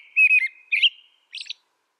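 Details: An American robin gives two rich whistled phrases, the second rising, followed by a fainter, higher, scratchy note. The background is quiet.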